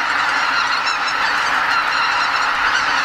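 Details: Huge flock of greater white-fronted geese, about 80,000 birds, leaving their roost before dawn at Lake Miyajimanuma, a Ramsar wetland in Bibai, Hokkaido, Japan, during spring migration north; a dense, continuous wall of overlapping high honking calls.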